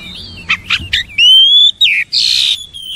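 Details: Oriental magpie-robin singing: a few short rising chirps, then a long clear whistle that climbs slightly and drops, followed by a harsh buzzy burst and a softer trailing whistle.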